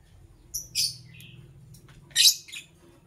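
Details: Morning chirping of a lovebird, with two clusters of shrill, rasping high chirps about one and a half seconds apart, each followed by a softer, lower squeak, over a faint low hum.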